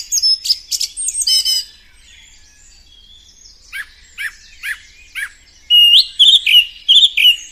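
A song thrush sings loud, high, clear phrases, repeating short notes three or four times before switching to a new phrase. No other sounds intrude.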